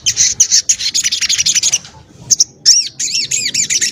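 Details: Crimson sunbird, known as sogon ontong, prized for its tight, sharp and varied song used to tutor other cage birds: dense high chattering trills, a short pause, then rapid arched chirping notes continuing to the end.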